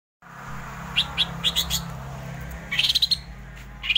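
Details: Greater green leafbird (cucak ijo) singing wildly in the 'ngerol' rolling style: short high chirps, then a quick run of bright notes rising toward the end, over a steady low hum.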